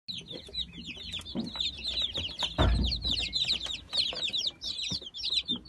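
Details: Young Brahma chickens from the season's last hatch, 17 October 2018, peeping together in a constant chorus of high, short downslurred cheeps, with a low thump midway.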